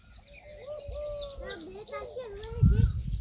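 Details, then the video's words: Peahen, an Indian peafowl, giving a run of clear tonal notes that rise and fall in smooth glides, with hissy background noise and a thump of low rumble near the end. "Peahen bird the Indian peacock/most clear sound"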